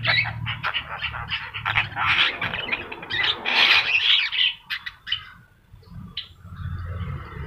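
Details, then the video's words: Yellow-eyed Javan myna singing vigorously for a training master recording: fast harsh chattering that builds to loud squawks, fades to quiet, then a last short burst, with a low hum. "jalak kebo mata kuning gacor"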